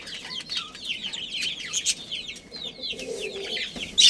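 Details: A breeding pair of budgerigars chirps in soft, bubbling warbles of curling high notes, with a steady faint tone in the background and a loud squeak at the close.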